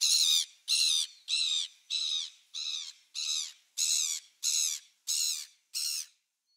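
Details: Gulls heard on 27 December 2017 uttering a steady run of ten harsh, nasal squawks, roughly one every two-thirds of a second, evenly spaced and of similar loudness throughout.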